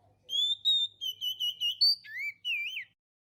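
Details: Oriental magpie-robin lure song used to attract birds: a string of clear whistled notes, some held and level, others short and slurred, ending in a lower rising-falling whistle, with a faint low hum underneath.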